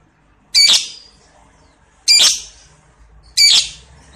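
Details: Lovebird producing three loud, harsh squawks spaced about one and a half seconds apart, each fading in a short tail.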